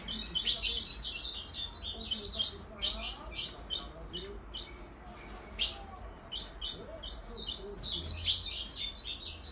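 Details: Calling female ultramarine grosbeak, meant to excite males: a steady series of crisp, high, clicking chips, often doubled, coming roughly every half second to second, with low background hum.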